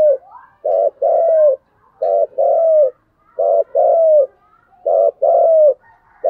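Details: Decoy spotted dove cooing in a steady cycle: each phrase is a short coo followed by a longer, slightly falling coo, repeated about every 1.3 seconds, low and mellow, with no other clear sounds.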